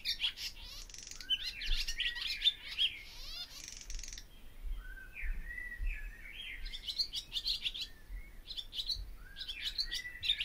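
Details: Barn swallow song in bursts: rapid high twitters and descending slurred whistles, a quieter stretch of lower warbled notes, then renewed chatter; some low rumbling background noise.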